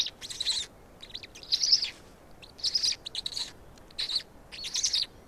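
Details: Black stork chicks begging as they are fed in Estonia, 16.05.2019, 16:58: clear, shrill, buzzy chirp bursts about every second, short silences between.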